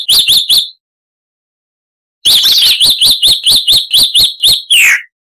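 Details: Chalk-browed mockingbird, Mimus saturninus, harsh-voiced tutor recording for cage birds: three sharp chirps, a long gap, then a quick even string of about twelve chirps ending in a downslurred squeal.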